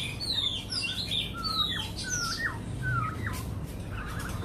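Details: A white-rumped shama from Cat Tien sings in contest with a recording, giving high thin whistles and then a run of descending slurred whistles repeated several times.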